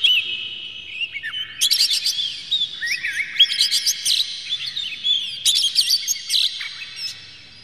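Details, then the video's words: Oriental magpie-robin in agitated, tail-spreading full song, used as a lure to provoke other magpie-robins into singing: loud, varied high whistles, rapid slurred phrases and sharp chattering bursts in dense, continuous sequences. "dijamin kacer langsung ngamuk2 dengar kacer ini bongkar emosi buka ekor ngobra full isian"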